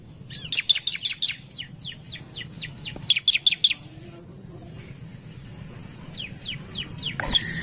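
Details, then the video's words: Bar-winged prinia provoked by a lure recording sings quick bursts of four sharp high chirps, followed by slower trailing downslurred notes and a later softer series, over faint background hiss. "Ciblek Gacor Narung Pancingan Ciblek Cepat Emosi"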